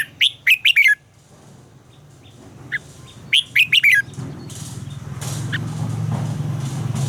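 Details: Red-whiskered bulbul in voice training, giving two quick bursts of loud, bubbling warbled notes about three seconds apart, followed by swelling rustling, flapping-like noise.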